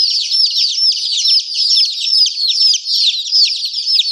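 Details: Chicken chicks chirping together in a dense, continuous chorus of high, thin peeps, each sliding downward, overlapping with no pauses.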